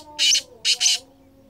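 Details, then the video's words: Black francolin (kala teetar) giving a short burst of its call: one rasping, scratchy note, then a quick grating double note, with a soft steady hum underneath. "Kala Teetar I Balck Francolin I Bular Kala Teetar"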